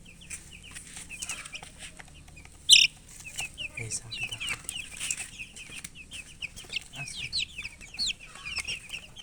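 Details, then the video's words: Thirsty chicks calling for drinking water, a flock of colourful baby poultry giving quick, high, downslurred peeps in a busy continuous chorus, broken by one sharp loud knock. "Murgi chicks Chirping sounds with thirst for drink water"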